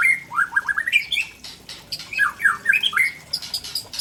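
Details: Tangse white-rumped shama from Aceh unloading rare fill-in phrases: choppy bursts of downward-slurred whistles and chattering notes in two quick runs separated by a short gap.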